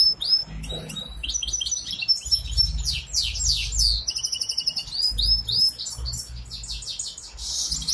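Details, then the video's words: Goldfinch hybrid offered for sale in Ankara, Türkiye, sings a lively, high twittering song mixing sharp chirps, sweeping slurred notes and dry rattles, with faint low background rumble. "Saka melezi"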